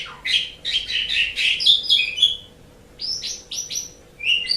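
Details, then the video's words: Asian pied starling song used as a tutor recording for pet songbirds: bursts of harsh, chattering and whistled notes mixed in quick, uneven phrases, with short pauses between groups. "Suara Burung Jalak Suren"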